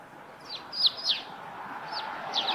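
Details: Eurasian tree sparrow at its nest site on a roof, chirping in quick, high, downward-sweeping notes, three close together and then two more, with soft ambient noise.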